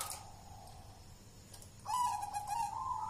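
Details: Champion local perkutut (zebra dove) from Mojopahit, Java, kept since young, gacoran singing: after a quiet, hissy start, a clear level cooing phrase begins midway, with faint background noise throughout.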